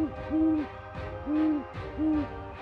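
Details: Great horned owl, presented alongside the bald eagle as having varied sounds though less loud: short, arched, low hooting notes with harmonics, repeated about three times in under three seconds, over soft background music.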